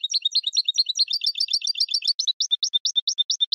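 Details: Continuous goldfinch twittering: lively, jumbled high notes tumbling quickly, then slowing into evenly spaced, clipped chirps about five per second.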